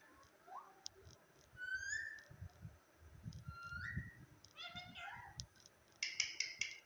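A parrot gives a run of squeaky, whistled, speech-like sounds with rising slurs and chattering notes, ending in a harsh burst, over low rumbling background noise.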